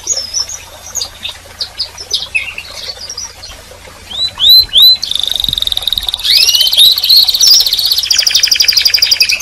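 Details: A canary sings and calls: scattered high chirps give way to a few rising whistled notes, then a long, rapid, rattling trill that continues at steady speed to the end.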